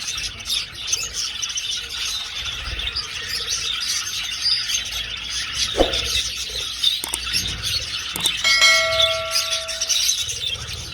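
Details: Many budgies in flight inside an old aviary give constant twittering chatter. A few sharp clicks and brief clean whistled tones cut through near the end.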